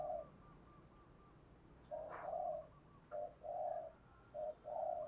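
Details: Female spotted dove calling to attract males, used to lure wild doves: soft, low, hollow coos in short phrases, a brief note followed by longer drawn-out ones, with quiet pauses between.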